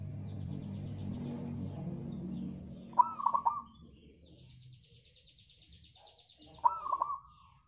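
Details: Local zebra dove phrases used to lure other birds into song: two short coos with quick stuttering tails about four seconds apart, with a low rumble early and faint high chirping between phrases.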